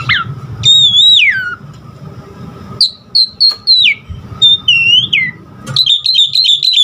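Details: Song of a caged Asian pied starling, used to train other birds: long slurred whistles that rise and fall, a string of short clipped whistled notes, then a fast warbling trill.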